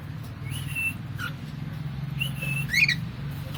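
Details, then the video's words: Pet cockatiel making funny sounds: two sparse clear whistles, each rising then held level, followed by one short harsh squawk, over a steady low background hum. "Funny sounds by Jackie the cockatiel"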